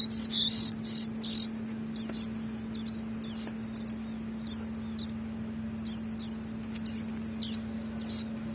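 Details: Young ciblek being hand-fed, giving high, thin, descending squeaky chirps, short bursts repeated roughly every half second to second, with a steady low electrical hum underneath.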